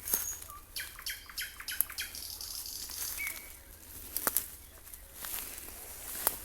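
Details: A distant common nightingale sings in the evening around 19:52 on a cold, somewhat windy spring day by rural gardens, giving a run of sharp clicking notes and a few brief pure whistles over a faint rural hush.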